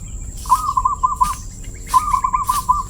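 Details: Crystal-clear-voiced zebra dove sings two loud phrases a second apart, each a rapid, level series of rounded cooing notes lasting under a second. A steady high whine sounds in the background.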